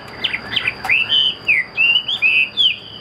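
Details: Short burst of song from a caged Chinese hwamei: a few quick chips, then sweet sustained whistles that dip and rise, one after another, with a faint electronic tone underneath.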